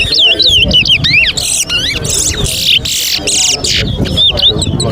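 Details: Competition towa towa (chestnut-bellied seed finch) whistling at Alligator Pond, Guyana, in 2024 while whistles are tallied aloud; repeated bright twisting whistled phrases among loud noisy bursts, with people counting and talking and music playing.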